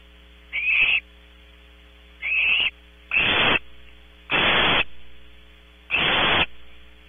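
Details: Barn owl owlets in a nest box at Audubon Starr Ranch, California, filmed close up by a nest camera: harsh, hissing screeches, each about half a second long, in five bursts over seven seconds, over a steady electrical hum.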